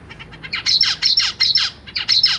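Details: Newly hatched zebra finch babies being fed by their parents in a cage: loud, harsh, buzzy begging notes in rapid runs of about six, a brief pause, then another burst.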